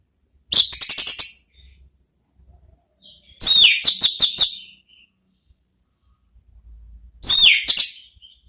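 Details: Therapy song of an orange-headed thrush in the ngeplong manner, aimed at luring others to answer: three dense, rattling bursts of bright, rapid notes about three seconds apart, with soft thin whistles between them.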